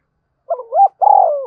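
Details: Spotted dove calling to stir up a rival. A single phrase of a soft rising double note followed by a long, burry, gradually falling coo. The phrase is cut before any final note, with no background sound.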